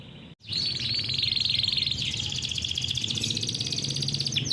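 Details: Captive-bred canary in a long, fast, tightly packed rolling song (Indonesian 'ngeroll') used to tutor young canaries. After a brief silence comes an unbroken rapid trill, steady and high, with a low background hum.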